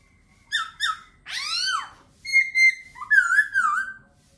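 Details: Laughingthrush delivering two short slurred notes, a long sweeping downward phrase with dense harmonics, a level whistle, then a warbling falling phrase. Still, quiet background.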